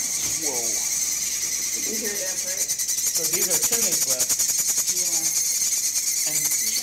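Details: A group of fledgling Chimney Swifts in an incubator at an urban wildlife rescue, being fed, keeps up a harsh, high, rapidly pulsing chitter that never lets up, with people talking over it indoors.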